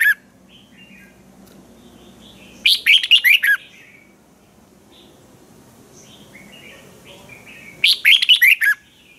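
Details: Caged red-whiskered bulbul from Thailand, lively, giving a sharp, clear training song: two loud bursts of five or six quick, warbled, up-and-down notes about five seconds apart, with soft distant birdsong in between.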